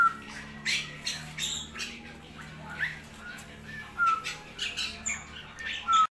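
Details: Straw-headed bulbul in rainy, unfavourable season weather, giving short squawky, rich bursts and brief clear whistled notes in a row of separated phrases, with a faint low hum under it.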